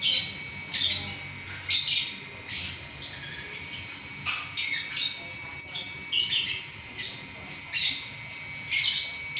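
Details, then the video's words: Lovebird singing continuously, a dense run of sharp high chirps and squeaky bursts in quick irregular clusters, with faint background hiss throughout. "Burung LoveBird Juara Nya Ngacor 11 Menit Enggak Berhenti"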